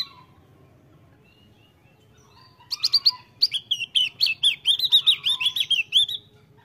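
A Javan grey-throated white-eye sings a fast, high chattering twitter of rapid notes for about four seconds after a quiet start, with a low background hum.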